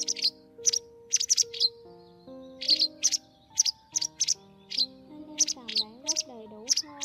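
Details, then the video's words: A white wagtail lure recording for netting migrating birds gives sharp, high two-note chirps in quick bursts, roughly every half second, over steady electronic music with sustained low tones. "Tiếng Chìa Vôi Trắng"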